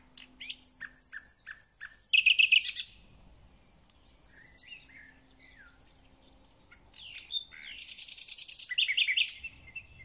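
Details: Thrush nightingale in full spring song: fast falling notes, then a loud buzzy rattle, a pause with faint phrases, and another long, dense, harsh rattling series with whistled notes.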